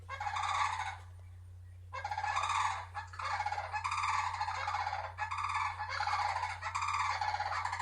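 Sandhill Cranes give loud, rolling, rattling cackles in repeated bursts about a second long, with a steady low electrical hum underneath.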